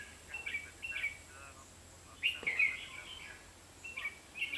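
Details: Red-whiskered bulbul decoy singing while bulbuls were being trapped on 23 October 2016: faint, clipped whistled phrases, then a louder chattering warble midway, with a soft thud and low background noise.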